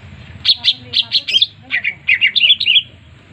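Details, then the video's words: Short melodious burst from a green leafbird (cucak ijo): a row of evenly spaced sharp chips followed by quick, rolling whistled notes slurring downward and then up. "cucak ijo suara merdu gacor"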